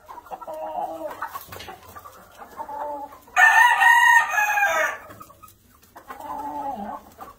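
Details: Black Old English Standard Game chickens at a hatchery in the US; low clucking and murmuring give way to a loud strident crow lasting about two seconds, then the quiet clucking returns.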